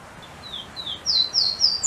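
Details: Golden-crowned warbler, known locally as pula-pula, described as a restless bird that keeps hopping all the time, singing a short series of high thin whistled notes that grow louder and rise at the end, over faint background hiss.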